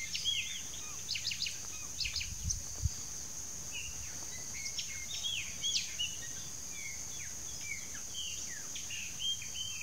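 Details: Rufous-fronted Thornbirds, a breeding-season pair, give loud, sharp chattering notes in irregular bursts, with other birds chirping and a steady high insect hiss throughout.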